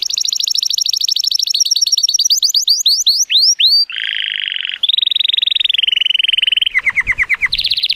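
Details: Male Timbrado Español canary, born 2018 and rated 83 points, sings on a sunny day: a high fast trill breaking into sweeping rising whistles, then steady low and mid-pitched rolling tours.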